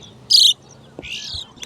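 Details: A bird calling among farm fields near a pond during the cool rainy season: a loud, high, harsh chirp, then a softer descending buzzy call about a second later, over low background hum.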